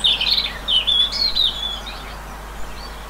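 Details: An albino great tit in countryside of central France, 10 March 2020, gives a quick run of high, thin chirping notes over about a second and a half, then falls quiet against faint background hiss.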